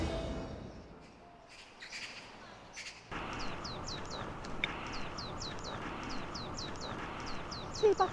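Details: An unseen marsh tit near Korean apartments in winter sings early, practising its breeding song: quick runs of sharp, high, down-slurred notes, several each second, over a steady background hum; a person talks briefly at the start.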